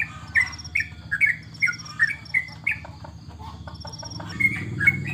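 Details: Trucukan (yellow-vented bulbul) kept as a contest bird during the corona stay-at-home period. It sings a run of short, sliding whistles about twice a second, then pauses over low background rumble before two final whistled notes.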